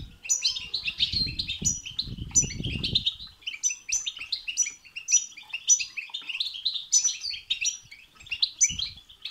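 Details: European goldfinch delivering bitbita and sitsita song to stimulate another goldfinch; long unbroken run of tinkling, twittering phrases with crisp high accents, and a burst of low rumbling noise in the first seconds.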